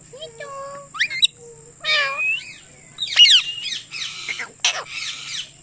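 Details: Indian ringneck parakeet producing a varied run of loud calls: wavering whistled notes at first, then harsh rasping squawks and shrill chirps packed close together.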